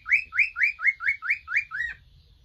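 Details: Cockatiels, three males relaxing at home, repeat a bright, slurred whistle eight times in quick succession, the final note softer and arched; low room noise beneath.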